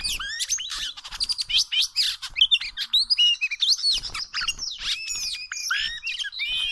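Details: Oriental magpie-robin, wild, where trapping with small ropes takes place: loud, choppy song of sharp clicks, high whistles and scratchy notes in quick bursts with brief gaps.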